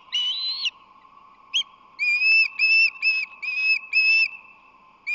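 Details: Osprey at the nest on San Francisco Bay, March 2020, as the male delivers fish: a long whistled cry, a short chip, then a run of five shrill piping notes with downturned ends, evenly spaced, over a steady electronic hum.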